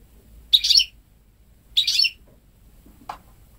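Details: Goldfinch × canary hybrid, hatched May 2013, ten months old, home-bred and singing only goldfinch phrases; two dense bright twitters a little over a second apart, then a faint thin downward note.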